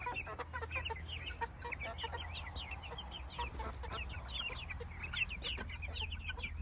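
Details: Chicks peeping in a group: many short, high, downward-sliding cheeps overlapping continuously, with a steady low hum in the background.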